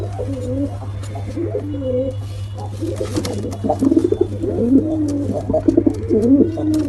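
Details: Male and female pigeons trade soft throaty coos, at first spaced and even, then growing busier and louder with rapid bubbling notes, over a steady low hum.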